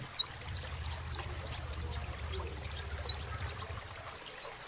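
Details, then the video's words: One continuous run of high, thin, slurred notes from a crimson sunbird lasting about three and a half seconds, then a quiet gap, with a low background hum. "SEPAH RAJA TERNYATA MEMPUNYAI KELEBIHAN DARI SEGI SUARA NYA YANG KHAS"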